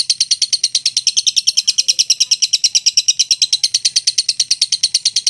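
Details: Lovebird of the mentil type giving a long ngekek, a continuous rapid chattering trill of high notes, about three per second, holding steady and unbroken through the whole stretch, with a faint low hum underneath.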